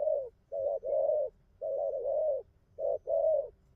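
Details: Spotted dove cooing: three paired phrases, each a short note followed by a longer, steady mellow coo, the pairs spaced about a second apart against a quiet background.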